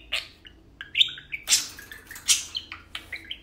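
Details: Pair of tame parakeets playing and talking; quick chirps, short whistled notes and scratchy bursts follow each other, with brief pauses between the notes.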